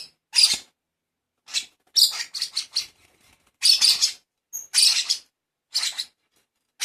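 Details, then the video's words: Baby lovebird begging as it is hand-fed: rapid, uneven bursts of raspy, hissing squawks, some in quick clusters, with short silences between. "Lolohan Baby Lovebird"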